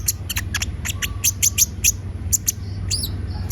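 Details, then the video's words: Lively song of Van Hasselt's sunbird: many rapid, very high, sharp chirps in an irregular series, ending in a short twisting whistle, against steady low humming noise. "Pancingan suara burung konin gacor"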